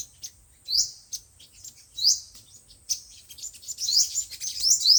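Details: Sunbird song of the five-colored and seven-colored kinds, played through a speaker to lure birds for trapping: sharp, very high chirps and down-slurred notes in scattered bursts, growing busier toward the end.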